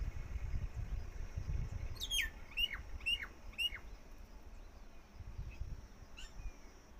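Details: Jungle myna at a nest with sky-blue eggs in Rajasthan: a short burst of four or five sharp, descending whistled notes in quick succession, then a lone chirp, over low rumbling background noise.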